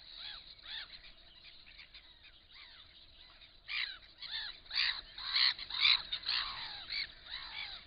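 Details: Black-winged stilts at a nest with an enlarged clutch give sharp, nasal yelping calls about twice a second, growing louder and overlapping midway as if several birds call together.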